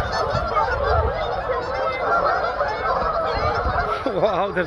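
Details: Huge flock of Canada geese on a frozen pond in Kleinburg, loudly honking together: dense overlapping nasal honks with layered harmonics, continuous throughout, and a clearer single honk near the end; ducks and seagulls also present.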